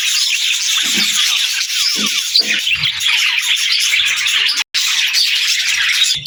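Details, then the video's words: Budgerigars singing a steady, dense chatter of buzzy warbles and quick chirps, with scattered soft lower notes and a brief silent break near the end. "Budgies Singing"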